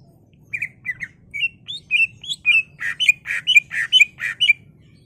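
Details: Caged greater green leafbird in agitated song, meant to stir another caged bird into singing. Rapid slurred whistles speed up into harsher, buzzier chattering notes in a rising rush, over a faint background hum.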